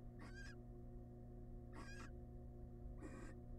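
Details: Nest box of wild barn owls while the male hands over a massive rat: three harsh breathy hisses, with a pause of over a second between them, on top of a steady low hum.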